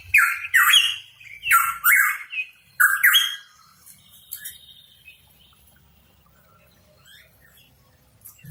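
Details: Hooded pitohui, known as cucak rawa papua, in full voice: four loud, rough, slurred phrases in quick succession over three seconds, then only faint scattered chirps and soft low background rumble.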